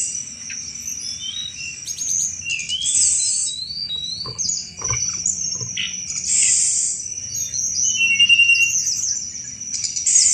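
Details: Sunda robin delivering a chattering 'cetrekan' song, a recording meant to draw in thrushes; loud bursts of buzzy, scratchy chatter and short whistles, repeated many times, over a constant high whine.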